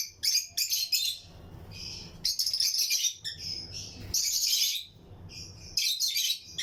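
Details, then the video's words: Chirping of pairs of Lutino lovebirds kept in a colony breeding aviary with other birds; harsh high chirps and chattering bursts come in clusters, broken by short quiet gaps, several birds calling over one another. "Lutino Lovebirds Breeding Colony Cage - Chirping and Relaxing Sound"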